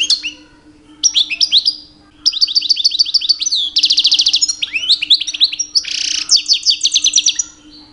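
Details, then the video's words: Mating-season song of a two-year-old caged European goldfinch courting females: scattered thin notes, then a long rich run of rapid repeated chips, tinkling trills and a harsh buzzy burst, over a soft background hum. "My 2 years old Goldfinch song"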